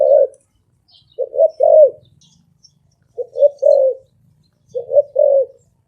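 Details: Spotted dove cooing in three phrases of soft low notes, each building to a longer, slightly falling coo, separated by pauses of over a second; faint low rustling and distant high chirps.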